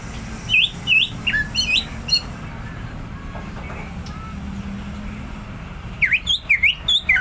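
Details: Greater green leafbird singing in the ngentrok style of rapid continuous song: bright whistled notes, some rising and some falling, in two bursts at the start and end, with a quieter gap between over steady low background rumble.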